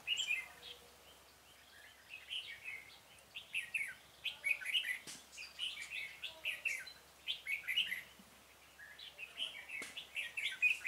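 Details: Decoy Red-whiskered bulbul during bird trapping, 26 February 2018, singing to attract wild birds: a busy run of chirpy, warbling whistled phrases, nearly continuous, each note sliding slightly up or down.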